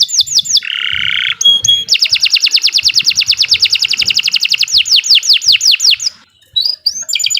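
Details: Canary singing at length as a master recording for stimulating silent birds. Quick falling whistles and a coarse buzz lead into a long, very rapid trill that slows into separate slurred whistles, then a short pause and scattered high notes.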